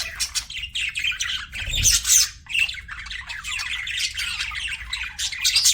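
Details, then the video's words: Pet budgies squawking and chirping in a harsh, busy chorus of short raspy notes, with one low thump partway through. "CUTE PET BUDGIES"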